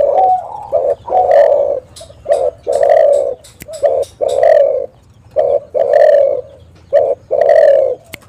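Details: Spotted dove (tekukur) heard in a luring recording meant to make other doves call back: a steady sequence of deep, mellow coo notes, about one every second or so, the louder notes drawn out and falling slightly.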